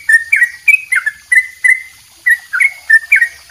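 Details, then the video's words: Yellow-vented bulbul delivering long double 'ropel' song for songbird training. Clear, short, liquid notes are grouped in quick pairs, with a brief pause midway before the chatter resumes. "suara trucuk dobel ropell panjang buat masteran"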